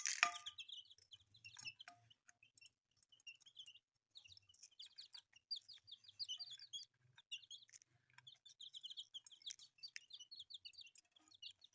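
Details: Chorus of newly hatched colourful chicks: bursts of quick, high, slightly falling peeps from several birds, broken by short pauses and scattered clicks and rustles.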